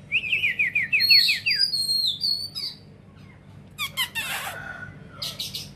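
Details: Oriental magpie-robin singing with its tail spread wide: a quick descending series of slurred whistled notes, then high sweet whistles, a quiet gap, and harsh rasping bursts with sharp ticks.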